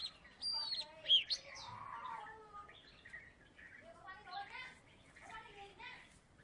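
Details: Former third-place champion Oriental magpie-robin of the Salatiga type: a bright high whistle opens a varied run of chirps and warbled phrases, with faint voices low in the background.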